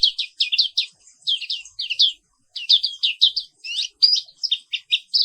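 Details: Morning song of a caged black-capped white-eye from Papua, Indonesia: fast, continuous strings of high twittering, down-slurred notes in rolling bursts, with only short pauses between them.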